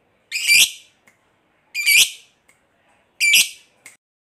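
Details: Lovebird, a lively fighter type, prompting quiet lovebirds to join in with ngekek: three harsh, squeaky, sharp-edged shrieks about 1.5 seconds apart, each followed by a faint click, with silence between.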